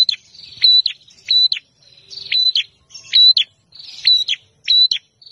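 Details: Bar-winged prinia, called prenjak, a guest bird with a fighting temperament singing emotionally: repeated sharp high notes, each a clicking downstroke joined to a steady whistled tone, about every half to three-quarters of a second.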